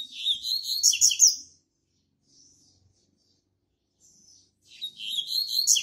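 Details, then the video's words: Double-collared seedeater, a caged tutor bird used to teach song to a breeding stock, delivers a rapid, chattering phrase of sharp high notes and buzzes lasting about a second and a half. A quiet pause follows, then another similar burst starts. "COLEIRO ZOHAN UM DOS GALADORES E PROFESSORES DO MEU PLANTEL"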